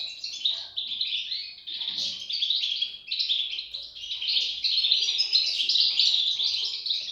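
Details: European goldfinch chicks produce bursts of high, squeaky chirping that swell and fade every second or so, then become a continuous overlapping chatter in the second half.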